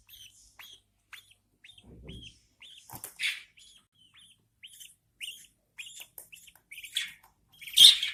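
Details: Newborn budgerigar chicks being fed by their mother in captivity; a steady series of short, thin, downward-bending cheeps about every half second, joined by a few louder, rasping squawks near the end.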